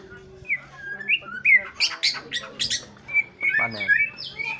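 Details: White-rumped shama in morning song, mixing sweet whistled phrases with harsher, noisy chattering bursts in the middle, then returning to bright clear slurred whistles; a faint low hum runs underneath.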